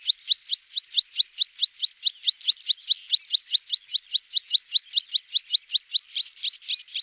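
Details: Javan bush lark used as a master song for training other birds: a fast, regular series of sharp high chirps, each a quick downslurred note pair, about twenty-five in a row, with slightly varied notes at the end.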